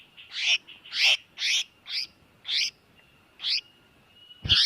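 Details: Tiểu mi đất bird giving a distress call used as a trapping lure: harsh, raspy, buzzy notes in an uneven series of seven bursts over a faint steady high whine.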